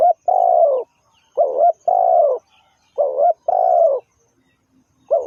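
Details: Spotted dove used as a trapping decoy, repeating its low call three times: a short, tremulous two-part coo leading into a long, falling croo. Each phrase comes about every one and a half seconds.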